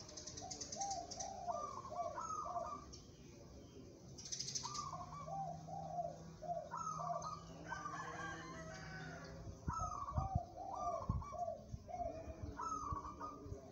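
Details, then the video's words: Song of a local zebra dove prepared for singing contests. Several phrases of bubbling, pulsed coos switch between high and low notes. A steady low drone runs through the middle, with occasional knocks. "perkutut lokal bermental baja, cocok buat lomba"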